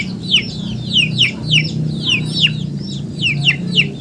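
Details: Clear chicken peeps, loud downward-swooping chirps given about two or three per second, others softer behind, over a low droning hum.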